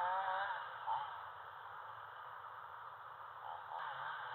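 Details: A brief low human voice opens over a steady electrical hum, with no animal sound heard.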